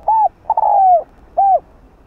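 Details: Spotted dove kept as a lure bird, cooing to stimulate and draw in other doves: three clear mid-pitched coos, the middle one long and slightly falling, with short gaps between.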